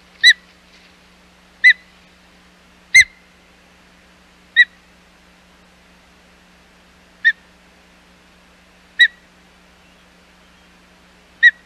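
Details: Osprey at the Hog Island nest, 25 July 2020, as the male's second fish delivery attempt fails; seven sharp, clipped whistled chirps spaced one to three seconds apart, with a faint low hum and one knock.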